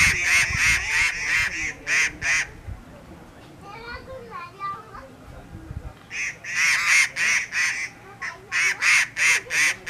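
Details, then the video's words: Grey treepie (Dendrocitta formosae) at Hawa Mahal Viewpoint, Camels Back Road, Mussoorie, Uttarakhand, on 4 December 2018, gives runs of harsh, grating notes, about three a second, with a short spell of softer, wavering whistles between. "Grey Treepie - vocalization"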